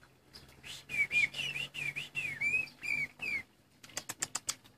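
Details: Injured caged greater green leafbird, lost a leg trapped in its cage, pours out ringing whistled notes over a low background hum, finishing with a burst of sharp clicking sounds.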